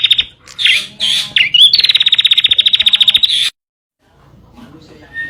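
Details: Bar-winged prinia singing as a tutor for caged birds: a few loud chirps, then a rapid rattling trill of about two seconds that stops abruptly, followed by near silence.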